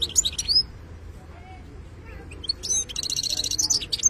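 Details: European goldfinch of the wild 'khlawi' sort singing 'btebta' song: sharp high chirps at the start, a short lull, then a rapid run of buzzy, rattling trills and bright twittering notes to the end; soft low background rumble.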